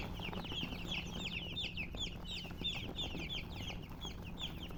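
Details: Baby chicks chirping all together, a steady wash of thin, high, falling peeps with a soft hum beneath.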